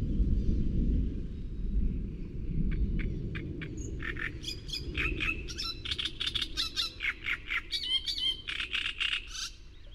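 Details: Loud, throaty song of a great reed warbler recorded in Córdoba: after a rumbling start, a fast run of harsh, creaking and chattering notes builds and keeps going, over constant low-pitched background noise.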